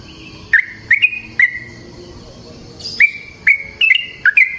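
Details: Yellow-vented bulbul singing in natural surroundings to prompt other bulbuls to sing: separate sharp upslurred chirps, some followed by a short trailing whistle, spaced irregularly over a quiet background.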